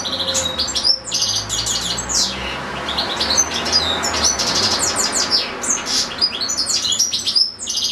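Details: Caged European goldfinches kept with goldfinch-canary hybrids, one goldfinch singing a long unbroken recital: dense, rapid twittering and tinkling phrases of high notes with buzzy bits, continuous throughout, with a faint low hum beneath.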